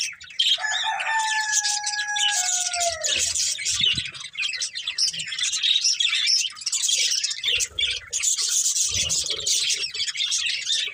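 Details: Colourful budgerigars, a breeding pair with their family, chirping: dense scratchy high chatter throughout, with a few clear whistled notes sliding downward near the start, then continuous warbling.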